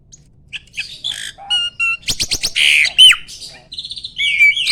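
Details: Mature male Asian pied starling in stable peak breeding condition, singing while pumping ('mompa-mompa'), ready to mate: a varied burst of harsh rasps, rapid clicking notes, buzzy bands and clear whistles, loud and packed closely together.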